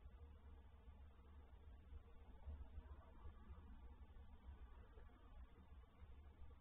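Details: Faint, low electrical hum over quiet background hiss, with no animal sound.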